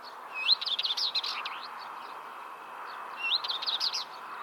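Common Chaffinch singing two bright, quick phrases: a tumbling run of descending notes ending in a short flourish, over a steady soft rushing background.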